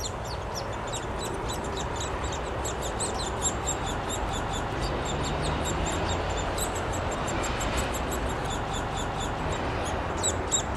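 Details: Begging Downy Woodpecker chicks at a nest hole in a park in Columbus, Ohio, spring 2013, parents feeding; a rapid high squeaking chatter that swells and fades, set against a soft steady hum.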